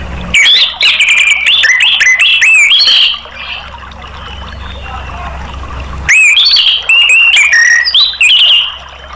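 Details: Orange-headed thrush singing to stimulate caged birds: two long bursts of fast, varied whistles, trills and sliding notes separated by a quieter pause of about three seconds.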